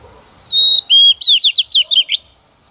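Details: Singing female Oriental magpie-robin used as a decoy to set males singing, opening with a clear level whistle and a lower slurred whistle, followed by about six rapid, twisting chirped notes.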